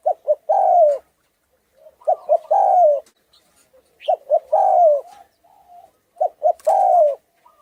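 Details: Thai-type spotted dove with a rough, hoarse voice, cooing to excite rivals and decoys; four phrases, each two clipped hoots followed by a drawn-out falling coo, evenly spaced about every two seconds.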